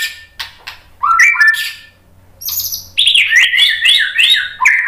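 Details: White-rumped shama song meant to spur other shamas to sing, with clicks, a high thin note, then quick undulating whistled notes running rapidly together.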